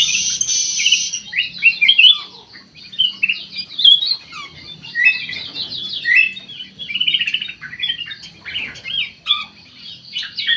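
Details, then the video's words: Bulbul singing actively in an aviary: dense, rapid chattering of short whistled and slurred notes, mostly high-pitched, in overlapping bursts throughout, with a brief harsh noisy burst at the start. "KUTILANG EMAS MATA PUTIH SUPER GACOR"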